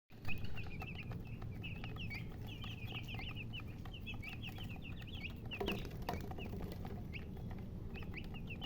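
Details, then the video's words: Baby chickens chirping as a flock: a dense, steady stream of short, high peeps that pause briefly just past the midpoint, over a constant low rumble. "MURGI Baby "Chicks Chirping" Sound"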